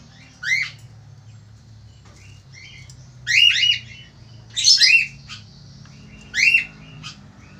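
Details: Male Australian falk, said to be a frequent, loud singer, calling in bursts: four clusters of shrill downslurred chirps, some doubled, spaced one to two seconds apart over a faint steady hum.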